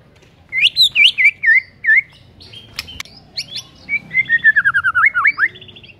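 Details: Varied white-rumped shama song used to coax a silent bird into singing: wavering whistled notes in a quick series, scratchy elements, then a fast undulating warble.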